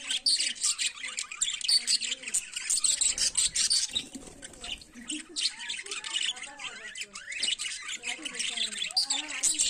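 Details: Budgerigars singing in the morning, a steady mass of rapid chirps, clicks and squeaky warbled notes from several birds at once, briefly softening midway before building again.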